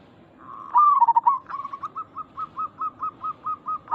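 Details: Zebra dove calling in a lure recording for other zebra doves: a loud tremulous trill opens, then clear coo notes repeat steadily about four times a second.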